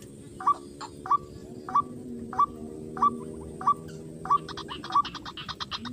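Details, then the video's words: White-breasted waterhen calling in a paddy field while being lured: a steady series of short, slightly rising notes about 0.6 seconds apart, followed near the end by a rapid burst of dry, clicking pulses. "pikat ruak ruak di sawah"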